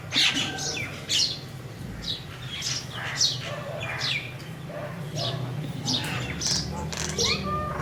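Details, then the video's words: Crows calling in a series of harsh, hoarse caws, roughly one burst every second, with some overlapping calls and a steady low hum underneath. "Crows Sound | crows sound effect"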